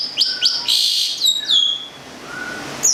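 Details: Long-tailed shrike of local Gedong Songo stock, Central Java, a kept songbird, giving sharp high chips, a harsh buzzy phrase and downslurred whistles, with a soft lower whistle near the end.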